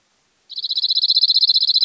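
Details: Cirl bunting song recorded near İzmir, Turkey, in May 2021, a fast even rattle of short high notes repeated on a single pitch, growing slightly louder and cut off before it ends; no background noise.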